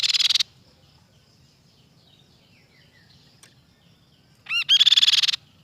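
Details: Crescent-chested babbler: the tail of one harsh rattle, a quiet stretch with soft distant chirping, then two short upslurred notes leading into a fresh rapid, buzzy pulsed trill.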